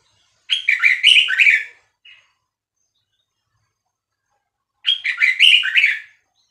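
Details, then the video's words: Vietnamese-type red-whiskered bulbul, a cage bird, whose song is played to teach young birds and excite them: two near-identical lively phrases of rapid warbled notes, about four seconds apart, in otherwise quiet surroundings. "นกกรงหัวจุกเวียดนาม 3-4-5-6-7 เปิดสอนลูกนก เปิดยั้วนกฟังนกคึก"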